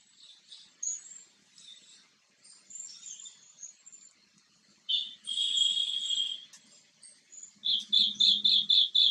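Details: Green bee-eater seen close up during preening: scattered high chirps, a sustained buzzy trill in the middle, then a run of six rapid rolling notes at about four per second, with faint bird twitter behind.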